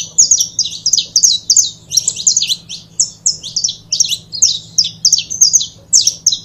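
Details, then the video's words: Continuous high chirping song from a pair of canário-da-terra, the saffron finch, used for foguear; crisp sliding notes tumble in dense groups of two or three, pulsing steadily throughout, faint background hum. "Casal de Canário da Terra Bom Para Foguear!!!"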